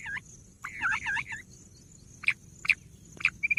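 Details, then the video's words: Bush quail giving a burst of wavering, whistled notes, then a few short, sharp, high chirps spaced about half a second apart over a faint hiss. "bush quail sound"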